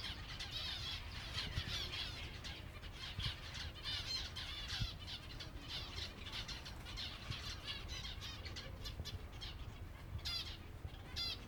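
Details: Silver Java sparrows at feeding time, a flock of caged finches giving a busy stream of sharp chirps and squeaky clipped calls, many voices overlapping, with wing flutters and low background noise.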